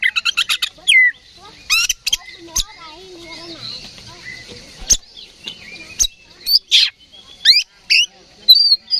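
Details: Song of an oriental magpie-robin, the ngeplong fighting style, provoked by a decoy recording. Quick clipped chirps open it, then scattered high whistles and sharp clicking notes come with short pauses between them.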